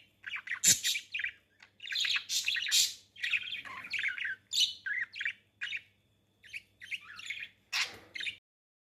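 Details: Pet budgies mating: bursts of scratchy, squeaky chatter and sharp high chirps in phrases a second or so long, separated by brief pauses, with a faint steady low hum behind.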